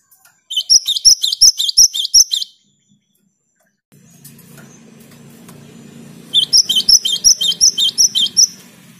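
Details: Singing cinereous tit, played to get silent caged tits singing: a fast, regular series of sharp, high two-part notes repeated about three times a second, in two bursts, with a low hum between them.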